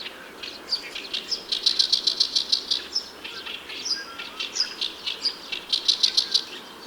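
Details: An Oriental Reed Warbler in a riverside reed bed sings loud, harsh chattering phrases of rapidly repeated grating notes mixed with short squeaky whistles, with a faint background rustle.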